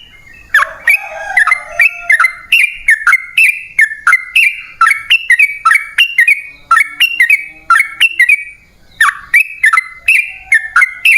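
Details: Sooty-headed bulbul in an extended, rapid-fire song, used as a lure to make wild bulbuls answer. A long, unbroken string of clicky whistled notes steps up and down, about three per second, with one brief pause near the end.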